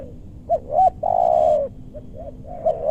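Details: Spotted dove calling to lure wild doves in a meranti forest in western Bogor. Two short rising notes are followed by a long, loud, slightly falling coo. A fainter dove coos softly before and after.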